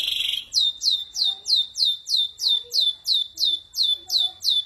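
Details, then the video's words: Ashy drongo singing in the 'tembakan kasar' (rough bursts) style. A brief buzzy burst opens, then loud sharp notes each sweep steeply downward, repeated evenly about three times a second, over faint low background noise. "Tembakan Kasar Srigunting Abuabu"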